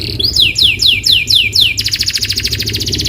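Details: Canary song played as a lure to prompt a canary to sing: five loud descending sweeping whistles about one every quarter second, then a fast buzzy high trill.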